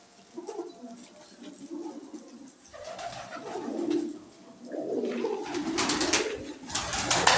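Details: Crested, feather-footed fancy pigeons from Surat, part of a lot of 80 birds kept for sale. Low cooing swells that rise and fall in pitch twice, mixed with bursts of wing clatter and scratchy shuffling.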